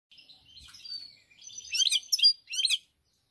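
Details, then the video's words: European goldfinch song recorded on 7 March 2021: high, liquid twittering with a drawn-out thin whistle, then denser bursts of scratchy chirps and trills in short phrases, with a clear pause before the final burst. "GOLDFINCH SONG"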